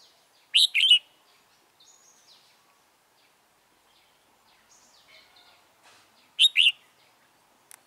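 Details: Red-whiskered bulbul used as a trapping decoy to lure and fight wild birds, recorded 28 February 2017. Two sharp, loud double-note phrases about six seconds apart, with quiet scattered chirps from other birds in between.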